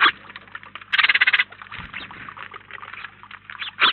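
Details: At a feeder in Collado Villalba, a flock of house sparrows chatters softly, interrupted by a short quick run of loud, evenly spaced chirps and a final sharp note.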